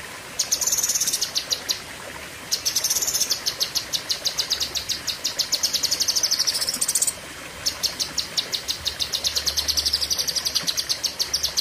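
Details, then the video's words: Long, fierce 'tembakan' song of a blue-winged leafbird. Rapid high buzzy trills run in long phrases of several seconds, broken by short pauses around two and seven seconds, over faint hiss. "Tembakan Ngeri Cucak Kinoi (Pedes Panjang)"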